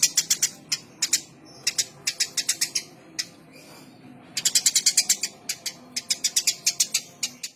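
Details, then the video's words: Eurasian tree sparrow giving rapid strings of harsh, clicking chirps, some runs dense and fast and others spaced out, against a constant low hum. "burung gereja gacor"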